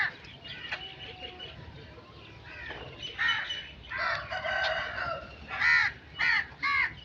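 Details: Several crows croak loudly, with rough, drawn-out caws overlapping at first, then three clear, separate harsh caws near the end over steady background noise.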